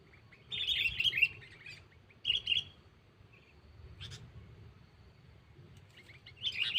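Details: Sooty-headed bulbul lure call toward a rival: a rich burst of chirpy warbles, a shorter phrase after a pause, scattered single notes, then another phrase at the end over low background noise.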